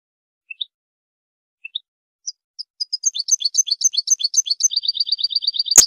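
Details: European goldfinch singing for song training: a few scattered soft chirps build into a rapid stream of liquid twitters, then a dry buzzing rattle, cut by a sharp click at the end.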